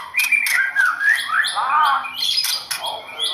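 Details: White-rumped shama, a performance songbird, delivering fluid rising and falling whistles mixed with short sharp clicks and high chips, the melodic phrases tumbling quickly one after another.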